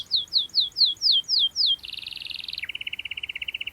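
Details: Sharp canary roll meant to pressure rival birds and train young ones: seven loud descending whistles, then a dense buzzy trill dropping into a lower, fast, evenly pulsed rattle.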